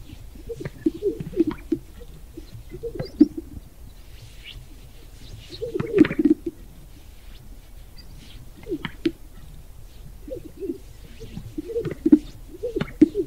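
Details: Black grouse bubbling faintly and steadily in low, gurgling phrases, with occasional brief hissing bursts and a quiet rural background.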